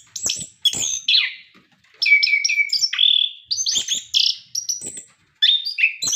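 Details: Spirited orange-headed thrush song serving as a singing prompt for caged birds: clear sustained whistles, downward slurs and buzzy notes strung together with short gaps.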